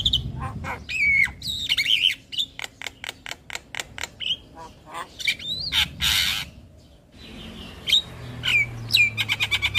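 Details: Javan myna master song full of fill-in phrases for training young birds: harsh squawks and whistles, a run of evenly spaced clicks, a noisy hiss, then more whistles and rapid chips.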